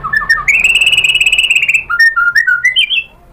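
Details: Lure song of a white-rumped shama, intended to provoke a rival's reply. A long, fast rolling trill flows into a sequence of clear whistled notes stepping up and down in pitch.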